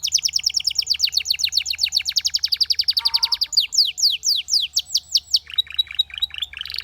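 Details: Belgian canary song, said to set many other canaries singing: a long, very rapid tour of high repeated notes, roughly eight a second, slowing into broader downward sweeps, then a softer run of short notes.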